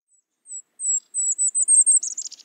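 Golden-crowned Kinglet singing: very high, thin notes that rise into a fast series of ringing chips, ending in a tumbling chatter.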